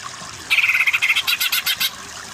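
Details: Greater green leafbird song used as a training recording to make weak-voiced birds sing energetically: a sudden burst of fast, sharp repeated chips, about a dozen notes in under two seconds, high and bright over faint background hiss.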